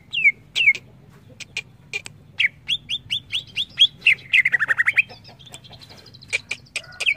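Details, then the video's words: Greater green leafbird (cucak ijo) song mixing sharp clicks and down-slurred whistles, then a rapid trill of short notes sliding lower, followed by a high thin note and more crisp chips. "Suara burung CUCAK IJO"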